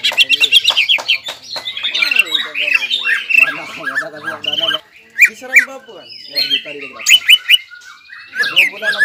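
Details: Caged greater green leafbird singing excitedly, stirred by its breeding urge: fast chattering phrases and squawky notes, descending scratchy series, then spaced sharp whistled calls.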